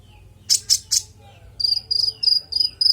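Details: Konin song, described as clear and full of varied phrases and used to train other songbirds: three loud rasping high bursts, then a run of short high chirps repeated about every quarter second.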